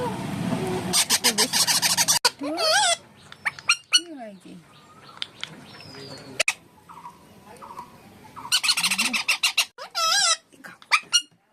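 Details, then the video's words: A pet Alexandrine parakeet mimics speech in squeaky, warbling phrases, broken by loud harsh screeches and bursts of rapid chatter, with a person speaking nearby. "indian parrot funny voice"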